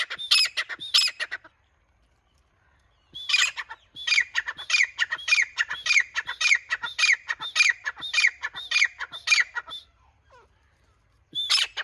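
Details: Grey teetar, the grey francolin, opens with a few harsh squawks, falls silent for about two seconds, then delivers a long steady run of rasping repeated notes before fading, with one last squawk.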